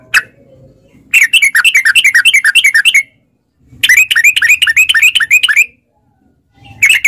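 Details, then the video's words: Sooty-headed bulbul lure recording to set caged birds singing; two long bursts of rapid bubbling chirps, each lasting about two seconds, separated by silence, with a brief note at the start and end. "trucukan gacor TARUNG ROPEL PANJANG pancingan trucukan agar bunyi jadikan burung trucuk gacor NYAUT"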